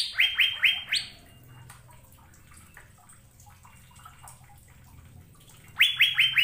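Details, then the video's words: Asian fairy-bluebird giving brief melodious phrases: a short run of falling whistles topped by a higher note, a long quiet stretch with faint low background hum, then another quick whistled burst. "Burung Sorga Cucak Biru Sedang Bernyanyi Gacor"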